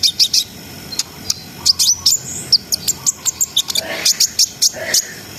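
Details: [2, 'Brown-throated sunbird in a lively ngriwik, ngerol and nembak song meant to stir breeding arousal. Rapid very high chirps and ticks in quick bursts, with a few short whistled slurs mixed in.']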